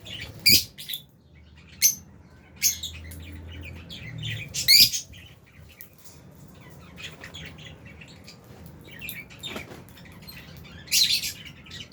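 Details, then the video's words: Sparse sharp chirps from albino and Fisher's lovebirds, single loud high notes spaced several seconds apart over quiet background chatter, with a brief low rumble early on. "Lovebirds Albino & Fisher's Are Doing | Lovebirds Chirping Sounds"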